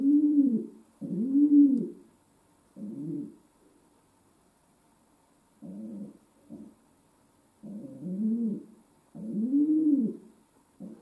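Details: Series of low, throaty coos from a pet domestic pigeon indoors, clustered phrases broken by a few seconds of quiet, then resuming in rounded rising-and-falling notes, faint hum throughout.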